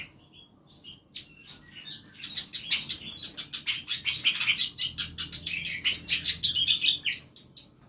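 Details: Mixed small birds kept in a home aviary built in a narrow space, a busy chorus of sharp, rapid high chirps building in intensity, with faint low hum beneath.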